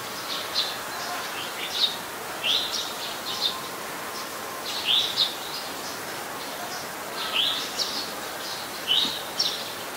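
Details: Eurasian tree sparrow, very common resident of Ubon Ratchathani, Thailand, recorded 10 May 2020: clusters of bright, high chirps and short rising notes, irregularly spaced, against light background noise.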